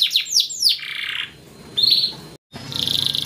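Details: Yellow canary phrase: a few fast descending notes sliding into a lower buzzy trill, a quiet gap, a short whistle, then a faint steady trill after a brief cut.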